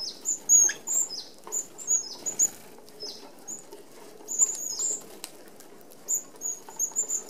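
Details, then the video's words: Red-browed finches, native to Australia, feeding as a group at an open aviary feeder with 25 mm mesh; clear, very high thin whistled notes in loose clusters, separated by quieter gaps, with wing flutters. "Red Browed Finches"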